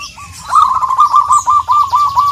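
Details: Local Indonesian zebra dove singing, calling a rival: a rapid string of short, even cooing notes at one pitch, about a dozen in two seconds, with a faint higher chirp behind.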